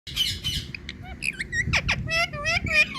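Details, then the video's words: Indian parrot imitating water drop sounds: a run of short harsh squawks, then bright hoarse notes that sweep up and down, some repeated in quick pairs, with faint human voices and room noise behind. "Indian Parrot Tiger Calling Water Drops💧Sounds"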